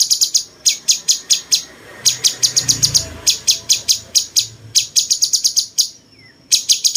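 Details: Captive cucak cungkok bulbul used for teaching songs to champion birds, its voice said to resemble a cucak jenggot: repeated bursts of quick, dry, high chips separated by short silences, with faint low background noise.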